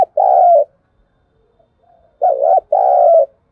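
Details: Spotted dove used as a decoy to spur newly caught doves into cooing: a single level coo, a quiet gap, then a two-note phrase of a dipping coo and a longer steady one, mellow and low-pitched.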